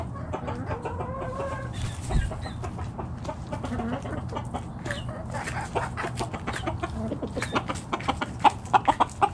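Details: Backyard chicken flock foraging in the morning, many short clucks and scratchy pecking sounds scattered throughout, a few soft tonal calls early on, low rumbling background.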